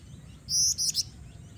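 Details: A female black-winged flycatcher-shrike calls persistently to attract males, kept as lure bait. A quick burst of three sharp, very high chirps in under half a second, with a faint low hum behind.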